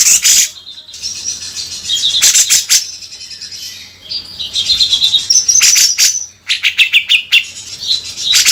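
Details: Bearded bulbul (cucak jenggot) singing actively in the harsh beset kasar style for training: bursts of harsh broadband chatter alternating with high whistled phrases, with brief quieter gaps between bursts.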